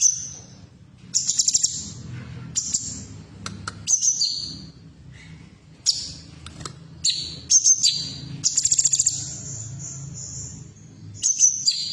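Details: Female cucak cungkok bulbul sound meant to start caged birds singing: long sequence of high whistles, sharp chips and rapid rattling trills in irregular bursts, with short gaps, over soft low hum.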